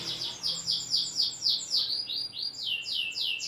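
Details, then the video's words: Champion caged canary singing a loud lure song with tight pauses, meant to spur lazy canaries to sing; a rapid series of high, sweeping downslurred notes repeated about four times per second, fairly clean background. "PANCINGAN KENARI MACET || JEDA RAPET || SUARA LANTANG || SUARA ASLI KENARI JUARA"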